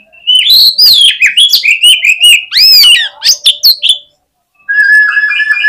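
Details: Oriental magpie-robin in aggressive song meant to rouse rival birds: an energetic string of chattering notes and arched, rising-falling whistles for about four seconds, then a pause and a long steady whistled note.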